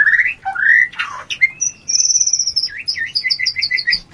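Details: Shama mating sound for stirring breeding urge: rising slurred whistles and a harsh burst, then a long thin high whistle, followed by a rhythmic series of about seven quick paired notes.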